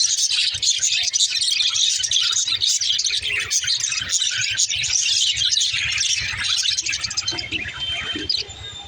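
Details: Female budgerigars kept as pet parakeets chirping: a dense, continuous chatter of high twittering and scratchy notes with no pauses, over a faint low hum.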